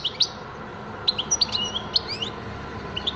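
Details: European goldfinch giving scattered high, thin chirps and short liquid twitters, some in quick pairs, separated by brief gaps against a constant low background hum.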